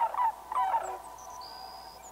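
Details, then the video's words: Sandhill crane in North America uttering two short rolling, trumpeting bursts at the start, then fading to background with thin high whistles from other birds. "Ancient Call of the Sandhill Crane"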